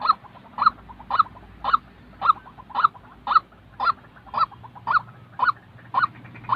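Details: White-breasted waterhen calling, a real bird's voice used to train decoy birds for trapping: harsh, honking notes repeated about twice a second, thirteen in a steady run, over a low background hum.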